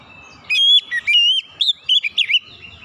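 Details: Oriental magpie-robin singing strongly in a recording used to coax untrained birds into song: a long clear whistle, then several shorter twisting whistled notes, with faint background chirps.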